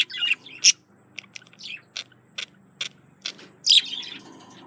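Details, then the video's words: Male budgie courting a female with scattered sharp clicks and ticks, short chirps and a couple of loud squeaky bursts between quiet gaps, low hum in the background. "Male Budgie/Parakeet Courting Female"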